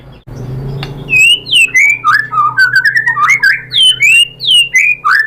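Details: Provocation song of a white-rumped shama, meant to stir other shamas to sing: after a brief quiet start, a rapid sequence of clear rising and falling whistles and slurred notes follows one after another.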